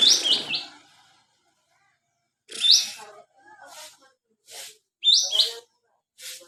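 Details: White-shouldered triller giving short bursts of bright, high notes that step down in pitch, separated by pauses of one to two seconds, with a few softer chips between phrases.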